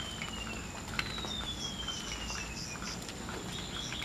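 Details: Wild Golden-bellied gerygone singing: one long, thin whistle sliding slowly downward over nearly two seconds, with a fainter shorter whistle before it, over a steady hum of insects and rural background noise.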